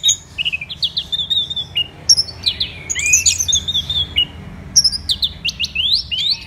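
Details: Varied, energetic song of an orange-headed thrush recorded on a Bali morning: chains of quick whistled notes, a tumbling mix of rising and falling slurs, then fresh bright upslurred phrases.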